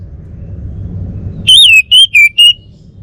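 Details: Single phrase of four strong, wavering whistles from a Bali male orange-headed thrush, falling slightly in pitch across the notes, after a low hum.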